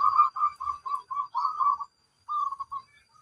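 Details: Zebra dove of local stock cooing strongly: a rolling series of rounded, mellow notes run closely together, a short pause, then a shorter trailing phrase of three notes, with faint low thumps behind.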